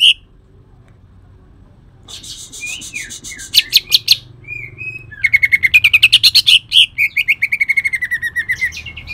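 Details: Kalimantan cucak ijo singing coarse 'tembakan' phrases mixed with shrike imitation: after a silence, scratchy notes and brief whistles give way to a long, rapid series of harsh repeated chattering notes.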